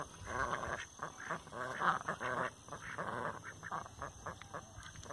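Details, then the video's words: Domestic Rouen ducks calling in loud, drawn-out honking quacks with a rich, buzzy tone, several in quick succession and fading toward the end. "Marrecos Rouen"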